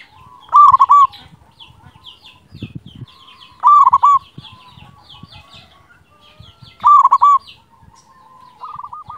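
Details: Loud local zebra dove used as a tutor recording to make silent birds answer: three stuttering coo phrases spaced about three seconds apart, each trailing into a soft rippling trill, with light knocks and tapping in the background.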